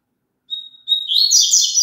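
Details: Double-collared seedeater singing for a kept bird to join in. A soft, sustained whistle and a brief pause lead into a loud, busy jumble of high chirps that continues to the end.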